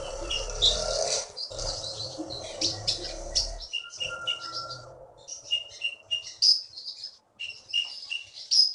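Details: Champion konin (brown-throated sunbird), a kept bird taken from the forests of Bangka and winning contests in Bangka Belitung, sings sharp, high chirps and short twittering notes in quick bursts, after an opening of low rumbling noise and murmured voices.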